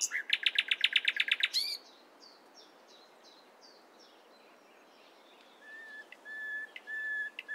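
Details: Nightingale song at morning: a rapid rattle of about twelve harsh repeated notes, then soft descending notes and later a few quiet steady whistles.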